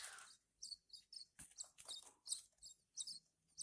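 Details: Hand-fed Horsfield's bush lark chicks: a sharp hiss opens, then shrill high chirps repeat about twice a second, with soft clicks and handling sounds underneath.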